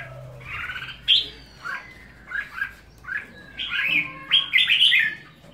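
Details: Red-whiskered bulbul song of quick, bubbly whistled notes in short bursts, some rising and falling, over faint background hum.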